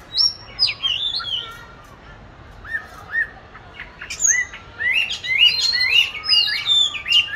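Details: Oriental magpie-robin in a cage, recorded 22 March 2021 practising song in an ideal hanging spot; a few sweet whistles, a short lull with soft notes, then a lively stream of sharp, varied whistled phrases.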